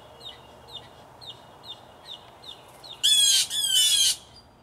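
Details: Blue jays, three to five birds, disputing territory in a yard tree; a series of soft, evenly spaced chirps, then two loud, harsh, buzzy screams back to back.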